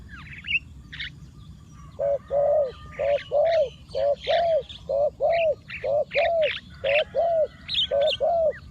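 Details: Spotted dove kept as a decoy, cooing to draw in wild doves; after two seconds of scattered chirps, about fourteen low, hollow coo notes follow at a steady pace, often in pairs, with small birds twittering above.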